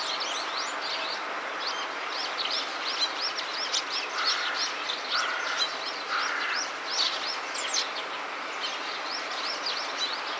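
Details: Eurasian tree sparrow calling while scratching an itch with its bill and feet: a long run of quick, high chirps and twitters, closely repeated, with a few lower buzzy notes partway through.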